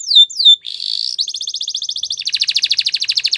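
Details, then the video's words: Belgian canary singing two falling whistles, then a short buzz and a long rapid rattling trill that drops in pitch partway through, pulsing steadily. "Belgian Canary Singing"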